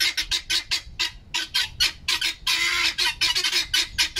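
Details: Noisy kept guineafowl scolding their owner: a rapid string of harsh, grating squawks, roughly four to five per second, broken by one longer rasping burst, loud and continuous.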